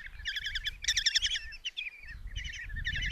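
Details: Common kestrel chicks, five in a Hungarian nest box at Tiszalök, 27 June 2024, clamour while their mother feeds them a mouse. Loud, pulsing trilled calls, a peak of intensity, a brief lull, then renewed chattering bursts.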